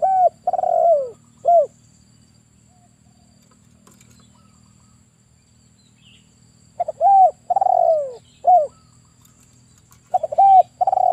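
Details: A lively male spotted dove, kept to lure birds for trapping, repeats its low mellow phrase: a brief note, a long sliding-down coo, and a clipped ending. Pauses of several seconds separate the phrases.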